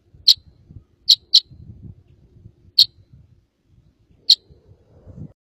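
Red crossbill giving five sharp, high, clipped chip notes at uneven intervals, one quick pair among them, over a faint low rumble.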